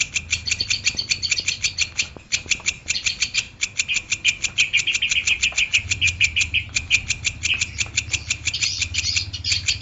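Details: Long-tailed shrike in energetic singing form, used as a training recording for caged birds: rapid, dense chattering notes repeated about three times a second, high and scratchy, with brief pauses near the two- and six-second marks.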